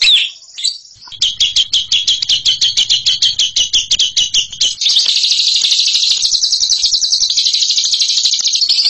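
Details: Bird praised as a champion ngekek singer: after a brief opening note and a short gap comes a series of sharp, evenly spaced high chips, then an unbroken, rapid, high trilling chatter runs to the end.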